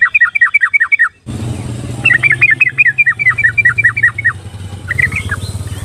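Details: Yellow-vented bulbul used as a basic lure for timid birds: repeated bubbly, slurred note sequences, with a steady engine drone of passing traffic underneath for most of the recording.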